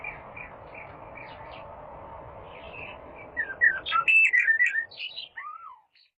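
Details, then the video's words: Little fellow, described as a rare bird, in masteran training audio: faint chirps over steady hum at first, then a loud clear burst of rapid twittering and whistled downslurs, ending in a single drawn-out slide. "MASTERAN GACOR "little fellow"BURUNG LANGKA"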